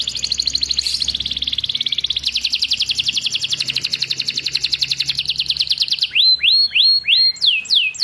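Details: Canary singing in a training recording meant to get silent canaries singing vigorously. The song holds fast, even buzzy trills for about six seconds, then shifts to a series of sharp rising whistled sweeps repeated about twice a second.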